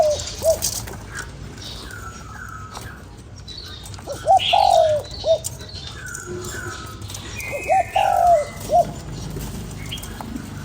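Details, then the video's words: Spotted dove cooing to excite a decoy bird: a lone short note, then two full phrases of short note, long wavering coo and closing note, set among quiet chirps and brief wing flutter. "Cu gáy kích bổi"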